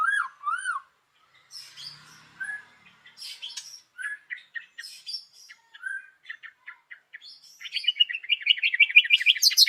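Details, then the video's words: White-rumped shama (murai batu) morning song used to lure other birds into singing: clear whistled upslurred notes, then varied scattered chirps, ending in a fast, rich warbling trill. "PANCINGAN MURAI BATU PAGI HARI 98% IKUT BUNYI || MURAI BATU GACOR"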